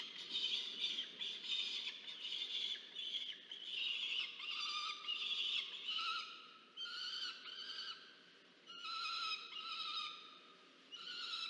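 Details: Peregrine falcon chick demanding food from its parent at a university-run nest cam in Orange, New South Wales, Australia, November 2022; a series of harsh screeching bursts of varying length, pausing briefly around eight and eleven seconds.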